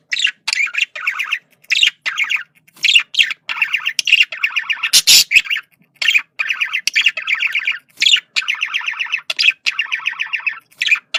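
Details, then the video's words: Male budgerigar communication sounds: continuous bouts of fast, buzzy, pulsed warbling chatter with intermittent squawks, one loud harsh burst midway. "sonido de comunicación de periquito macho /sonido de perico australiano/periquitos australianos"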